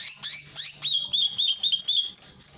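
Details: Greater green leafbird from Ujung Kulon, a masteran training recording with a water fountain: quick downward-swept notes flowing into a fast run of rolling, repeated whistled phrases at an even pitch.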